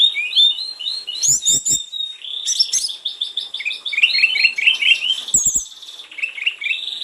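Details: Snowy-browed flycatcher in full, varied song meant to stimulate other birds to sing: long fast runs of high rising and falling twitters and warbles, broken by brief dry rattles and clicks.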